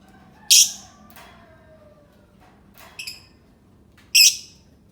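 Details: Sharp lovebird squeak, a pause with faint background noise, a softer stuttered chirp, then another loud high screech near the end.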